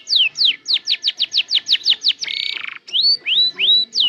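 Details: Canary starting to learn its sounds and song: about nine quick downward-swept whistles, then a short harsh buzzy rattle, followed by three clear rising whistles.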